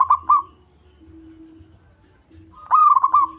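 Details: Deep-toned local zebra dove used as a lure: a short, rolling coo at the start, then a long quiet stretch and a fuller, bubbling trilled coo phrase.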